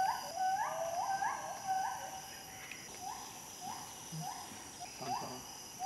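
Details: Gould's frogmouth, a nocturnal bird of lowland forest, giving a rapid series of short, mellow whistled notes that rise then fall, repeated about twice a second and slowing toward the end, over a steady insect hum.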